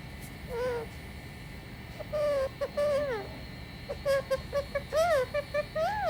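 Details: Indian talking parrot vocalizing: a string of short, clear whistled and hooting notes, some rising and bending, in quick uneven bursts over faint background hum.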